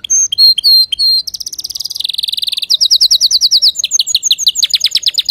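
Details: Male canary performing a pure song recommended for teaching young canaries; looping whistles, a quick buzzy trill, then evenly spaced loud repeated notes stepping higher.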